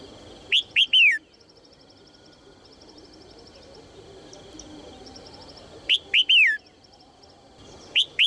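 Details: Female red-whiskered bulbul calling cheerfully to encourage males to sing. Bright, slurred three-note phrases, falling at the end, come in short bursts about five seconds apart, then a brief two-note fragment. A steady high whine and fast, faint ticking continue behind.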